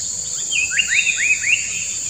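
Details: Paradise flycatcher giving four or five quick, upward-slurred notes about a quarter-second apart, over a steady high insect drone; a common cuckoo calls in the background.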